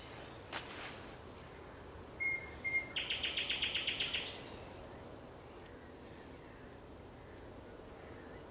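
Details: Thrush nightingale song at sunset, recorded on 30 May 2021. A short pure whistle leads into a fast rattle of about a dozen sharp, evenly spaced notes. Thin high whistles of other birds sound before and after.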